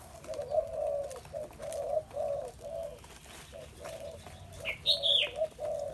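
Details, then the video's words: Spotted dove cooing, a steady run of low, hoarse coos repeated evenly over a noisy, hissing background, with another bird's brief high whistle near the end. "Chim cu gáy"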